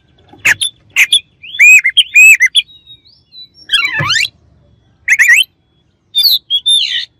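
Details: Lively Oriental magpie-robin singing meant to provoke an opponent: a series of high chirps, then clear two-part whistled phrases, a descending rattling flourish and further sharp whistles, delivered in separate bursts with short silences.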